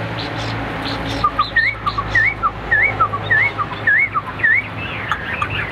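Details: Competing caged Hwamei in fighting display repeats a looping whistled phrase about six times, each a low note followed by a higher upswept whistle, over a low background hum.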